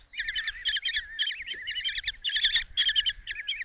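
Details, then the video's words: Loud, close begging by five common kestrel chicks fed a mouse by their mother in a nest box at Tiszalök, Hungary, 27 June 2024; piercing wavering squeals and rapid note clusters, several young calling at once. "Common Kestrels | Mom brings mouse in breakfast for five babies"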